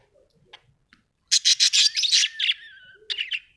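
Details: Pet budgerigars at home, with quiet faint ticks, then a rapid series of loud buzzy chirps running into a falling whistled note and a final short chatter.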